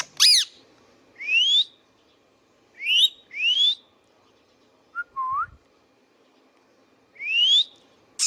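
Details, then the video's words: Pet Indian ringneck parakeet in a long whistling bout: sharp high squawks and several bright upward-sliding whistles spaced a second or two apart, plus one lower upslurred note, all over a soft background hum. "Indian Ringneck parrot natural sounds | Ringneck parakeets sounds video"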